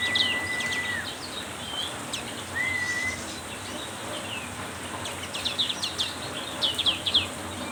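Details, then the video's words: Black-capped white-eye in full voice in heavy rain. It opens with a long level whistle, then a short rising slurred whistle, and finishes with bursts of sharp high chips and twitters. Constant rain hiss throughout. "hujan deras membuat pleci black capped tambah gacor konslet"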